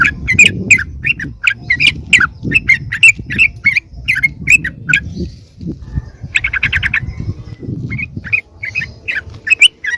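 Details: Lure call of sooty-headed bulbul for calling wild birds in: steady repeated sharp chips over heavy low background noise, a short rapid rattle midway, then softer scattered chirps.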